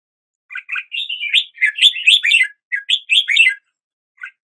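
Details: Red-whiskered bulbul delivering a continuous run of bright, jumbled warbling notes for about three seconds, followed by a short phrase and a single closing chirp.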